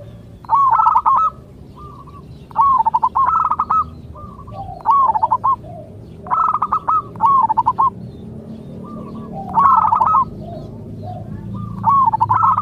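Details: Local zebra dove song for coaxing other zebra doves to answer. Rolling coo phrases repeat roughly every two seconds, each followed by a short soft coo, in a steady rhythm.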